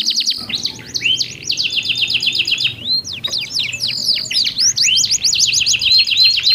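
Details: Pair of canaries with different voice tones singing back and forth; after a brief high whistle, a long warbling trill with a sustained tone, then bursts of sharp sweeping notes.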